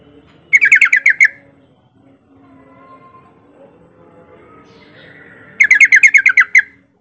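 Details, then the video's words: A Yellow-vented bulbul in full, vocal song gives two quick bursts of six or seven bubbly, chattering notes, about five seconds apart, over a faint low background hum. "Kicau Suara Trucukan Gacor"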